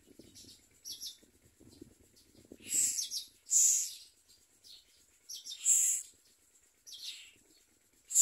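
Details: Common myna at its nest, catching crickets to feed its chicks: loud, harsh, hissing rasps in separate bursts of about half a second, several per few seconds, with soft rustling and scratching beneath at first.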